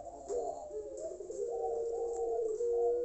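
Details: A Pelung-type dove gives a long, low, rolling coo, drawn out and gently wavering in pitch, with a faint steady hum behind it.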